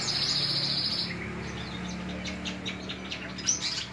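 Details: A white-shouldered starling (Sturnia sinensis), recorded at home, sings a sustained high whistle, then a rapid jumble of short chirps and squeaky notes over a low background hum.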